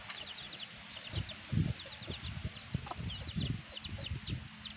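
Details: A black hen among her chicks gives low, muffled clucks now and then, while the chicks keep up continuous high, short downward peeping above.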